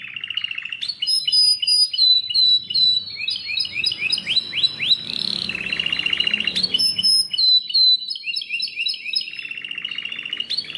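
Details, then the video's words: Belgian canary singing a long, varied song: rolling trills, rising whistled chirps and bright high notes flowing together, with faint low background noise. "O canto canário mais espetacular #85 - OUÇA ISSO e seu CANÁRIO BELGA VAI CANTAR MUITO!"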